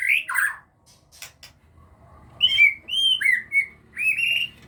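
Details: White-rumped shama of the Aceh type, bred in captivity, with young now starting to learn to fly. One loud high note, then a pause, then a string of clear, slightly descending whistled phrases.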